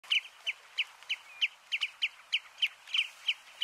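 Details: A Eurasian oystercatcher on Flatey, Iceland, in June 2019 gives loud, shrill piping notes, about three a second in a steady run, with a few quick doubled notes, over a quiet background.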